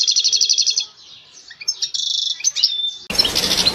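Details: European goldfinch song: rapid, bright twittering trills repeated several times a second, a few liquid slurred notes, then more trilling over a sudden burst of broad background noise near the end.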